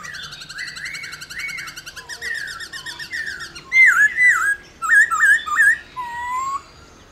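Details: Loud 'réo' song of a laughingthrush, used to spur other laughingthrushes to sing: soft rolling whistles first, then strong looped whistled notes in groups of three, ending on a lower slurred whistle.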